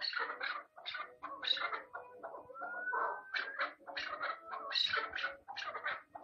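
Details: Chukar partridge giving a dense run of harsh, chattering clucks with rough harmonic bursts, overlapping in quick succession, and a thin whistled tone drawn out near the middle.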